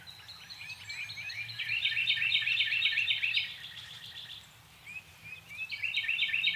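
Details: Chestnut-tailed starlings in a backyard give a busy, high twittering chatter of quick squeaky notes, about four a second. The chatter pauses briefly, then resumes over a faint low hum.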